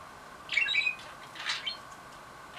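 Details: Pet budgerigar excited by a toy, chattering and trying the phrase "I love you" (daisuki da yo): two short, scratchy, bright bursts of warbled notes, each under half a second, over a quiet room background.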